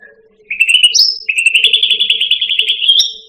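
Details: Striated grassbird, locally cucak rante, singing for a training recording for pet birds: a whistle, a high clipped note, then a long trilling whistle that rises at the end.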